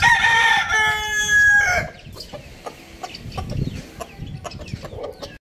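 A rooster gives one loud, harmonic crow lasting under two seconds, then faint clucks and scattered clicks follow.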